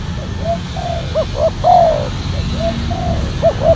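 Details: Spotted doves lured with a silver decoy bird wearing a black collar: low, hoarse cooing phrases, short upswept notes and longer slurred coos overlapping, as if two birds answer each other over steady low rumble.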